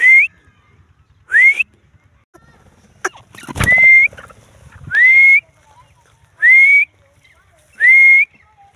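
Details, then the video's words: Grey francolin (bhura teetar) calling: six shrill whistled notes, each sweeping upward and then levelling off, repeated roughly every 1.3 seconds, with a brief knock and rustling thump partway through. "bhura teetar|teetar awaz"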